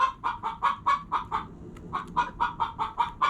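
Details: Short, rounded clucks from hens repeated about three times per second, with a brief quiet gap midway before the clucking resumes at the same quick pace.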